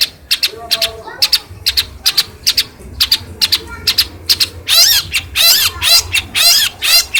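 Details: Hand-fed pet long-tailed shrike from Cilacap, imitating other birds after training with a phone, gives quick high ticking notes and short whistles, then bursts into loud harsh buzzy rasps near the end.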